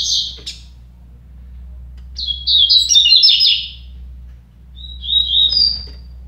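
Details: Double-collared seedeaters singing against each other in a contest: a brief high trill, then a jumbled, fast phrase of buzzy and whistled notes for over a second, then a thinner, rising trilled phrase near the end. Steady low hum.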